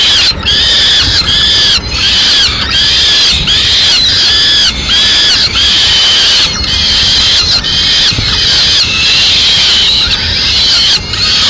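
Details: A male peregrine falcon in Madrid brings a swift and feeds it to the chicks piece by piece. Rhythmic, harsh bowed screeches repeat at a quick, regular pace, then blend into steadier wailing.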